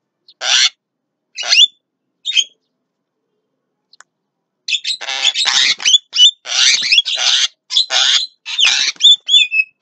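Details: Javan myna at midday: a few spaced harsh notes at first, then a dense tumbling run of grating rasps mixed with whistled upslurs and chatter in the second half.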